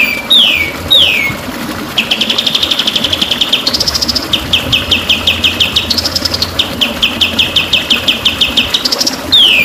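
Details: White-rumped shama song used as a training recording for champion birds: swooping downslurred whistles, then long runs of rapid repeated notes rising in steps, over a steady background hiss like flowing water.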